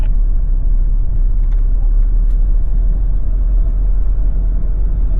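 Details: Loud, deep, continuous vehicle engine rumble with a few faint knocks; no animal sound is present.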